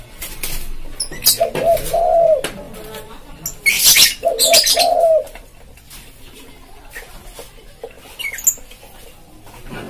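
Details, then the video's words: Spotted dove (tekukur) song, played as a lure for wild birds. Two mellow coo phrases of short notes, each ending in a drawn coo, with loud rustling, clattering and clicks in between. "Suara Tekukur buat pancing burung liar"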